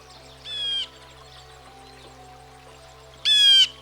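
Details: Blue Jay, a common American backyard bird, giving two harsh, harmonic-rich, level calls about half a second long and nearly three seconds apart, the second louder, over soft steady background music.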